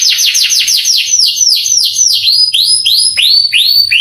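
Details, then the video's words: Canary song used to rouse young canaries: rapid falling notes that gradually slow into broad, spaced, up-and-over slurs, loud and high. "MASTERAN KENARI bikin KENARI PANAS EMOSI langsung gacor"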